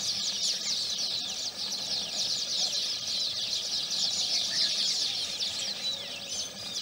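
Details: Baya weavers around their nest on a morning in Udaipur, Rajasthan, India: a dense, unbroken chorus of high, rapid chattering and twittering notes from many birds overlapping without pause, with faint low rumbling beneath.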